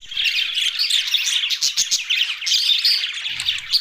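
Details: Budgerigars, Australian parrots, in a dense, continuous chorus of overlapping chirps and warbles, bright and busy with no pauses.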